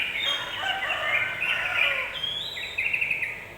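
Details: Provoking song of a yellow-vented bulbul, intended to make other birds emotional quickly: rich, gurgling warble that ends in a few quick, clipped, higher notes, over light background noise.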